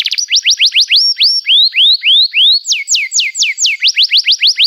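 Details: Canary giving long, emotive chirping song meant to prompt young canaries to sing: upswept whistled notes, a run of longer falling slurs, then quick upswept notes again.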